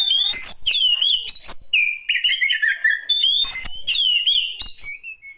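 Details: An elderly Oriental magpie-robin sings a rich medley of clear whistles, downslurred and upslurred notes and brief scratchy bursts, a varied phrase repeated twice within a few seconds.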